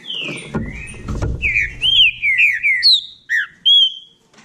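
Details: Green-winged saltator of the Bahia type singing in competition; a series of loud, clear whistled phrases sliding down and up, delivered in short bursts with gaps, after a low rumbling knock at the start.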